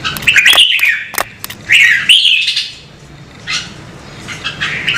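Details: Red-whiskered bulbul being prompted to sing, with two loud warbling phrases broken by sharp clicks, then softer scattered notes, over a low steady hum.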